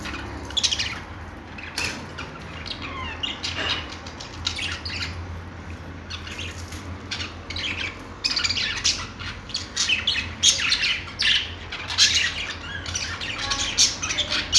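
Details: Budgerigar chirping: irregular bursts of scratchy chirps and squawks, with some quick downward-sliding notes, growing busier and louder in the second half over a low background hum.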